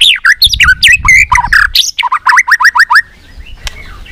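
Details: Fast, many-voiced white-rumped shama song for stimulating shamas to sing: a rapid jumble of swooping whistles, then a run of about eight similar down-slurred notes, ending with a quiet pause.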